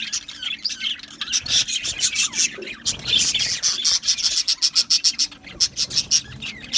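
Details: Aviary colony of Australian budgies: a busy warble of high chirps that turns into quick pulsed, scratchy bursts repeated rapidly in the second half.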